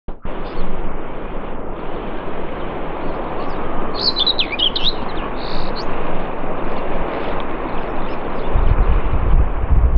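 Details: Common whitethroat at Morte Hoe, Devon, UK: one short, scratchy, jumbled warble phrase about midway through, followed by a brief thin note, over strong low wind rumble.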